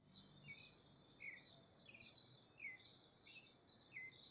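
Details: Wild birds singing in Brazil: short downslurred whistled notes repeated about every half second to second, over a dense, steady high-pitched hiss of insect-like buzzing.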